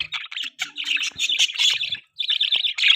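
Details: Pet budgies chirping while eating in the morning: loud dense warbling chatter of rapid squeaky notes, one short gap, then more chirps.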